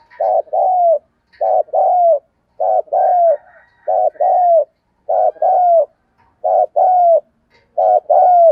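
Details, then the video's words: Spotted dove cooing to lure and stimulate other doves: a series of deep, hooting two-part coos, each about a second long, repeated roughly every 1.3 seconds with short silent gaps between phrases. "tiếng kêu của chim cu gáy âm thanh rất chuẩn để kích bổi/ thúc gù bài bản"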